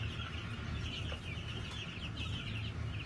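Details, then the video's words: New Hampshire chickens kept on a farm, recorded 22 March 2021; dense, overlapping high chirping and peeping chatter runs throughout, over a steady low rumbling hum. "New Hampshyre chickens in Olympus Farm."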